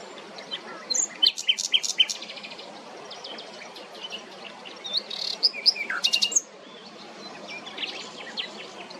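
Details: Common nightingale singing in Parque Regional de las Islillas on 26/04/24: rapid bursts of repeated notes mixed with sharp, slurred high whistles, then a quieter stretch, over constant background hiss.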